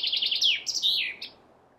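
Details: Chaffinch singing the close of its song: a few quick high notes, then slurred descending phrases and a brief final flourish, over a faint low background hiss.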